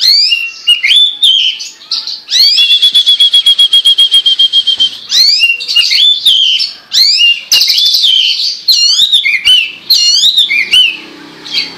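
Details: Chinese hwamei (Garrulax canorus) song: a loud, varied string of rich whistled phrases, with slurred rising notes and a rapid buzzy trill of about two seconds near the start.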